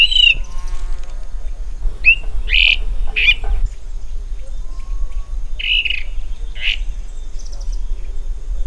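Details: Little woodpecker (Veniliornis passerinus) giving sharp squealing notes, some doubled, spaced a second or so apart, with quieter faint whistles and a constant low background hum.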